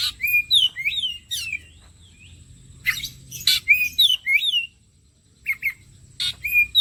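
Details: Kacer (Oriental magpie-robin) bait song meant to prompt a quick singing response: bursts of varied sweet whistles, slurred up and down, broken by sharp clicks and short gaps, with a faint steady high tone behind.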